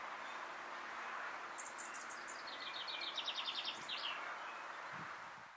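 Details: Dunnock (Prunella modularis modularis) at Quiberon, France, in June 2020, giving a quick, high, thin twittering phrase of about two and a half seconds, over a steady outdoor hiss.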